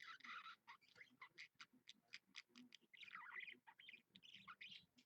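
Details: Pet budgerigar, live-streamed at 7 AM on 16 February 2015, a Monday. Warbled chatter gives way to a series of sharp, clicking chirps spaced about a third of a second apart, then more twittering.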